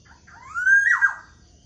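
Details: In the morning, a black-naped oriole gives a clear, mellow whistle that climbs smoothly, then tumbles downward in a short slur. A soft steady hum runs in the background.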